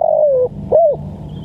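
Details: Fragment of a spotted dove call used for training and luring birds: the tail of a long falling coo, then a short arched coo, over a low background hum.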